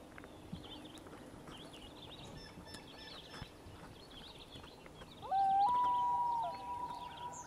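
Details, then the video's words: Common loon in northern Ontario, a loon family reacting to intruding loons, gives a loud pure wail that steps up and holds steady for over a second, over a background chorus of insects and small birds. "Haunting sounds of northern Ontario the common loon"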